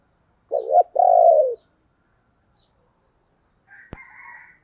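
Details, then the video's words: Spotted dove decoy call: a quick wavering coo and a longer smooth note dropping at the end, then quiet, with a rooster crowing in the background afterwards and a sharp click. "Tiếng chim cu gáy mồi gáy gọi, chim vừa đẹp vừa kêu hay"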